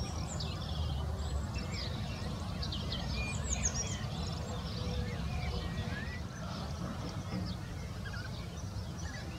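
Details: European bee-eaters waking in the morning, stretching, preening and singing, calling together in many overlapping short rolling liquid chirps over a steady low wind-like rumble.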